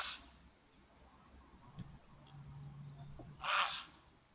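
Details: Grey heron at an African waterhole on 18 November 2024 gives two loud, harsh, croaking squawks about three seconds apart over a faint low hum, likely an alarm call because a martial eagle is perched nearby.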